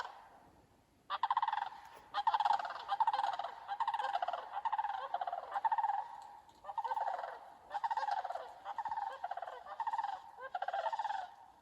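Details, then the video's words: A flock of sandhill cranes squawks loudly on a September morning bog walk under a thundery sky and rainbow, with continuous overlapping rolling, gargled rattles repeating roughly every second for ten seconds. "a flock of loudly squawking sandhill cranes"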